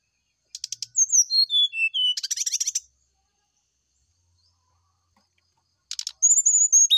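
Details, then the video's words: Morning song of a brown-chested jungle flycatcher, played as a lure for a reply: quick clicks, a descending series of whistled notes, a dense rattling burst, silence, then more clicks and a high sustained whistle. "PANCINGAB SRDC NYULING DI PAGI HARI"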